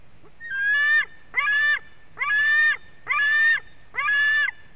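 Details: Nestling white-tailed eagle begging as the female brings a fish, Latvian nest camera, August 2020; five evenly spaced, grating screams, each about half a second, repeated nearly once per second.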